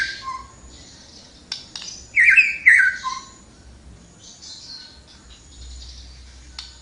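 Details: Flowerpecker singing vigorously, giving a brief cluster of sharp, high chirps and twittering notes in the middle, framed by short rustling noises and quiet background.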